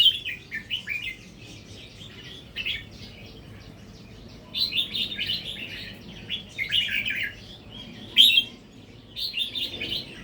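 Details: Wild red-whiskered bulbul, a natural-line bird beginning to sing doubled phrases; bursts of bright chirpy warbled notes, several phrases spread across the clip with quiet gaps between.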